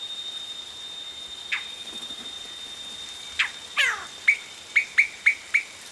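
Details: Yellow-rumped cacique chicks calling as adults arrive at the nest, heard close; a few descending squeals, then a fast run of six crisp, high, identical chips about twice per second.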